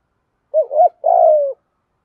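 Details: One coo phrase from a spotted dove, a call recorded to rouse decoy birds during training. A wavering double hoot is followed after a short gap by a drawn-out, slightly descending mellow note, with no other sounds.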